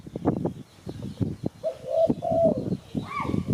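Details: Spotted dove coos used as a bird-catching lure: after a stretch of clattering noise come three soft, low coos, the last drawn out, followed by a brief higher squeak amid continuing rustling.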